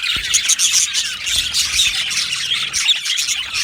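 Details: Australian budgerigars in a colony aviary, overlapping high chirps with a few clear whistled notes standing out above the steady warbling chatter of the flock.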